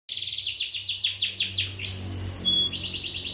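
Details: Agitated, nonstop-singing (gacor) domestic canary from Bandung, Indonesia: a fast roll of high down-slurred notes, a pair of brief pure whistles, then a renewed rapid trill over a faint low hum.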